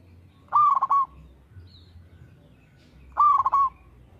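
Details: Two soft, warbling coo phrases from a local zebra dove in regular, lively song. Each opens with a rise and then rolls through several quick pulsed beats before ending, with a quiet pause between them.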